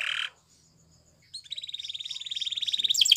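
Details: Song of a Spanish Timbrado canary for canary training: after a brief harsh burst and quiet soft notes, a steady high buzzy trill swells louder, ending in quick sharp notes.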